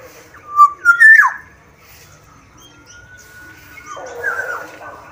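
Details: Sumbawa black-naped oriole singing vigorously: a short, loud, fluty phrase of two or three rising whistled notes, then a long thin steady tone and a softer, hoarse note to close; quiet background.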